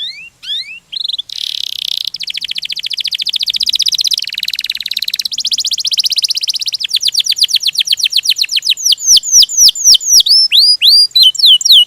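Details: Canary in extended 'ngerol' rolling song: opening whistled slurs, then a long buzzy roll changing pitch in steps, turning into fast down-swept notes and ending with slower ringing curved whistles.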